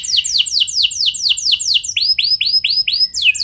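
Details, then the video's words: Caged canary song used as a lure to prompt other canaries to sing, opening with rapid high notes sweeping downward, then switching to a series of rising, arched whistled slurs. "Pancingan Ampuh Bikin Kenari Lain Bakal Ikut Gacor Do0r Dengan Pancingan Ini! Langsung Nyaut Ngeroll"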